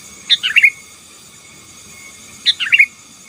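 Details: Sooty-headed bulbul song used to overpower rivals, two lively bubbling phrases of rapid chirped notes about two seconds apart, with a thin continuous high tone in the background.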